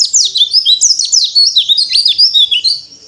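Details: Pleci singing on a terrace with open beak, a fast jumble of very high, thin twittering whistles, swooping and tumbling without pause, over an otherwise quiet background.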